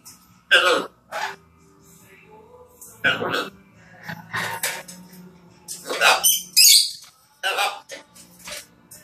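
A macaw talks in harsh, raspy, word-like bursts, about eight short utterances spread across the clip, with faint room noise between them.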